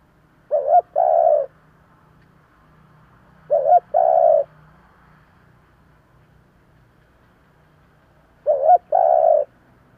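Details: Spotted dove decoy calling in 'giọng thổ' style to lure other doves; three evenly spaced two-part coos, each a short tremulous note and a longer mellow coo, roughly three seconds apart.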